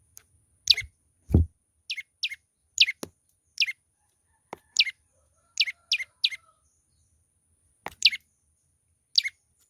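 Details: Young olive-backed tailorbird singing: a string of short, sharp high chirps, mostly single or in quick pairs, repeated irregularly over about nine seconds, with faint low thumps between them.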